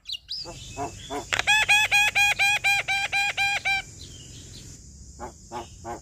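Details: Singing male black-winged myna delivers a string of about ten evenly spaced nasal, harmonic notes, each repeated steadily, followed by a few short rasping bursts over a constant high hiss.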